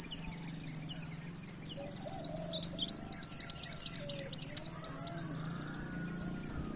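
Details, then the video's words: Lure recording of a brown-throated sunbird imitating a canary (tembak kenarian): dense, rapid high chirps sweeping upward, repeated several times a second throughout, with faint low tones and hum beneath. "Suara Kolibri wulung gacor tembak kenarian"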